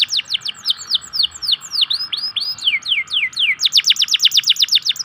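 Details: Canary of the local type singing to lure lazy canaries into song. Swooping falling whistles repeat steadily before breaking into a quick run of sharp, high clipped notes.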